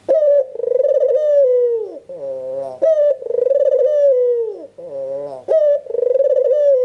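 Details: Red-eyed albino Barbary dove in full calling form, meant to draw replies from other doves; rolling, pulsed coos start with a sharp attack and sag downward, alternating with softer nasal harmonic notes, three cycles heard.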